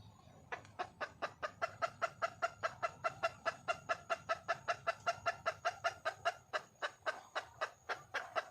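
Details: Wild junglefowl hen calling for a male: rapid, even series of short clucks, about two to three per second, sustained throughout with little background sound.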